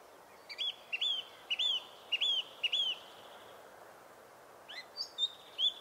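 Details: Song Thrush in full song: a clear upslurred whistle repeated five times in quick succession, a pause, then a few varied sharp notes; dynamic, repetitive phrasing.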